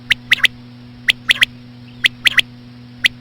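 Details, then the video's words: Common quail, slow female call for quail hunting: three crisp triplets of sharp notes, each about a second apart, clean and clear above a faint low hum. "COMMON QUAIL CALLING WITH SLOW FEMALE QUAIL SOUNDS"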